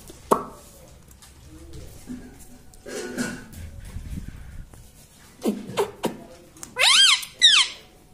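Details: A talking pet parrot indoors gives soft, voice-like mumbles and clicks, then two loud, harsh, rising screeches close together near the end.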